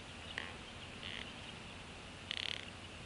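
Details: Bald eagles at a nest in northeast Florida, an adult female sharing a fish with two eaglets hatched in December 2015; brief high chirps, one near the start, one mid-clip and a brighter stuttering burst near the end, over steady background hiss.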